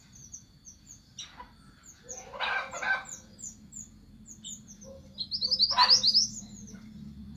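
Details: Orange minivet calling the flock: a quick burst of thin, rising high whistles repeated about ten times in a second near the end, after faint high chips and a few rustling bursts earlier.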